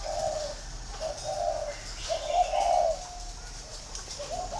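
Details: Green pigeon calling with a series of soft, wavering whistles, the loudest phrase near the middle, over a quiet background.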